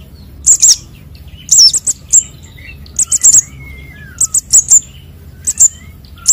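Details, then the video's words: Young sunbirds calling, used as a bird-trapping lure: piercing high chirps in short clusters of two or three with brief pauses, while another bird gives faint, lower, sliding whistles in the background. "suara anakan burung konin dan sogon untuk pikat"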